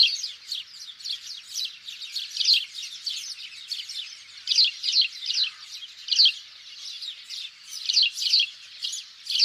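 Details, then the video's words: House sparrow calls used as a hunting lure: a constant busy chorus of sharp chirps and cheeps, many overlapping, pulsing in loudness without pause throughout. "Sparrow Sound For Hunting- صوت الدوري المصري للصيد"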